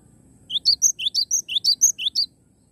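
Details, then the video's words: High-pitched cinereous tit song: around eleven quick, ringing notes in rapid succession, each a short upward slur, lasting under two seconds before silence, with faint low noise behind. "Glatik Batu Gacor"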